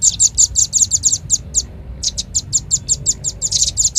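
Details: Trapping lure of Red-billed leiothrix: a fast series of thin, high chirps, some doubled, broken by a brief gap after one and a half seconds, then resuming steadily.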